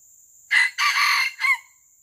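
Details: Crow of a wild junglefowl at a traditional lure-trapping site: a short, harsh three-part crow, a sharp opening burst, a long rough middle and a clipped ending, with an insect whine continuing steadily behind.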